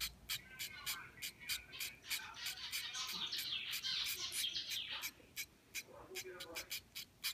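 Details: Two hand-fed zebra finch chicks aged 3 and 4 days give thin, high, rapid begging calls in quick bursts, swelling into a buzzy chorus.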